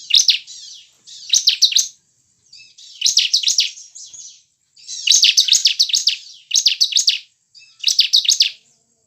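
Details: Lure recording of a bar-winged prinia singing to stimulate caged birds: short, high, rapidly trilled phrases arriving in quick succession, separated by softer, thin, scratchy notes.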